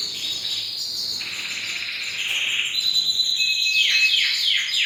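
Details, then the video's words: Canary song of long, buzzy high rolls changing pitch in steps, ending with quick downward-sweeping whistles, over constant hiss. "Super canary singing"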